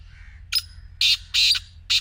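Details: Black francolin calls as a brief thin note, then loud scratchy rasping bursts, the last clipped short, over faint low-pitched background noise.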